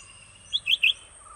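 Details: At a nest where red-whiskered bulbul parents feed two nestlings at regular intervals, three quick, bright chirps in under half a second, each rising then dipping, over a faint, steady high hiss.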